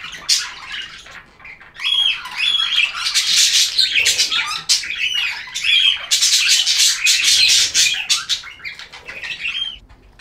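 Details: Captive budgerigars in lively chirping: dense, continuous high warbling chatter with short whistled notes and squawky chirps tumbling over one another, nearly nonstop across ten seconds.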